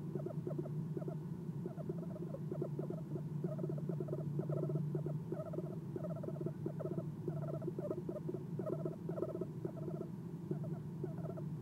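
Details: Eastern screech owl visiting its nest box in the early morning darkness, giving soft chirps while perched: dense runs of quick stuttering chirp notes in clustered bursts over a constant low mechanical hum.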